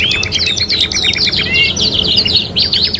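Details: Captive canary, a lively 'kenari gacor' heard on a three-in-one training recording, sings fast buzzy trills and sharp repeated chirps, high and bright, with a short sliding whistle midway. A faint steady hum sits beneath.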